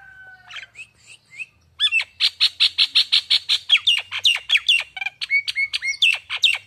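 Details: Lure song to get a young Nias hill myna singing: a few soft notes open into a fast, steady string of loud squawky whistles, then falling and rising whistled notes, all crisp with little background.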